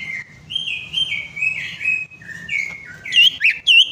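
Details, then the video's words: Greater green leafbird song intended to draw song from a silent bird: a soft, continuous warbling stream of mid-pitched notes rambling up and down, ending in a few loud, sharp whistled notes. "PANCINGAN CUCAK IJO MACET PARAH"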